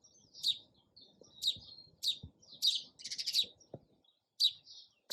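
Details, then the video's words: Sparrow giving sharp, high chirps at roughly one-second intervals, with a rapid run of chirps near the middle, while soft low knocks and rumble sit underneath. "SOUND OF SPARROW RELAXING CHIRPING SOUND."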